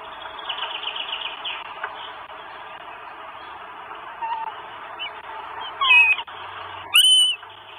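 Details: Northern goshawk chicks begging their mother for food at a nest in Estonia on 24 May 2022, from a live nest camera. Two loud, high, thin squealing calls come near the end over a steady hiss.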